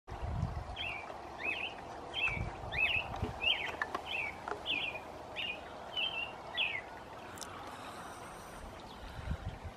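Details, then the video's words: American robin, described as female, singing its evening song: about ten short whistled, slurred caroling phrases in quick succession, roughly two per second, over low rumbling background noise. "American Robin (Wanderdrossel) Evening Serenade"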